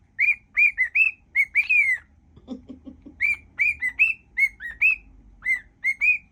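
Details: Pet cockatiel whistling a mash-up of tunes, quick clear rising and falling notes with a brief low chattering interlude partway through.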